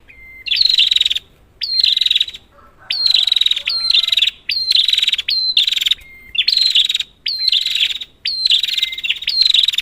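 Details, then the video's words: Red-headed prinia calling as a lure to prompt a silent prinia. Loud buzzy, chattering bursts, each opened by a short level whistled note. They come roughly once a second with brief silent gaps between them. No other sounds stand out. "Burung Prenjak kepala merah , Pancingan prenjak macet"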